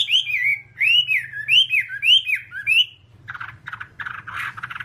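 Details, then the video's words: A Whambie sings for a nonstop one-hour training recording: a series of bright, rising whistled slurs about twice a second, then a burst of harsher, buzzy chattering notes. "Masteran Whambie nonstop 1 jam"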